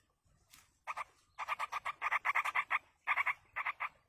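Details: Begging yellow-vented bulbul chicks, fed by an adult in the wild, produce a fast string of grating, double-toned rasps, about six per second at the peak, breaking into smaller groups near the end.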